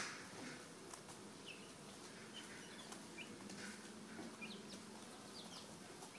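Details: Ten-day-old American Dominique chicks, 4/21/10, giving faint high, brief upward peeps every second or so against constant background hiss and a low hum.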